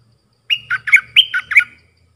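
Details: Red-whiskered bulbul singing a training song for young birds and for decoying wild birds, Thai sap dok, boen and rik styles: a brisk phrase of six rich, gurgling whistled notes that dip and rise, over a faint low hum.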